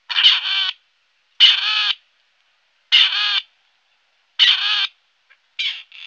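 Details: Grey partridge calling in a harsh, creaky, rusty rasp. Each half-second grating note is repeated about every one and a half seconds, five times over, against a quiet background.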